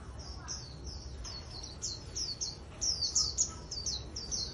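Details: Japanese white-eye, wild-caught and caged for trapping bouts, delivers high, sweet slurred notes that start spaced and soft, then speed up into a louder, denser twitter in the second half.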